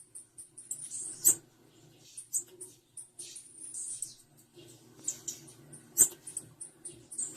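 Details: Calls of a female blue-black grassquit, a steady run of high, thin tsip notes and short squeaky trills, a couple of sharper clicks, over a soft low indoor hum.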